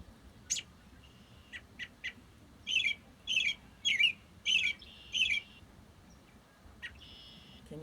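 An American Robin sings five warbled, caroling phrases, about one every half second, with a few short sharp chirps before and after.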